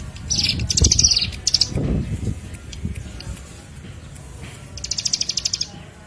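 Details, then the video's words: Bar-winged Prinia (ciblek) lure song for attracting birds: short high buzzy trilled bursts, a cluster early on and another near the end, with low thumping and rumbling noise in between. "PANCINGAN MASTERAN PIKAT SUARA CIBLEK PRENJAK KIPAS"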